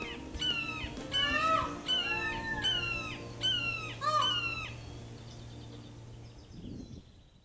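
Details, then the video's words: Red-shouldered Hawk call in Orange County's parks: a series of loud, down-slurred screaming notes, 'kee-ah', repeated about every 0.7 seconds, six to seven times, over a faint low hum, with soft music entering at the end. "be sure to listen for the distinctive call of the Red shouldered Hawk while outside enjoying Orange County's parks [Music]"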